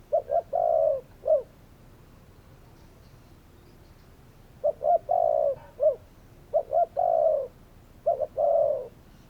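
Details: Repeated soft cooing from spotted doves: quick paired notes leading into a sustained low coo and a short closing note, three phrases separated by quiet pauses.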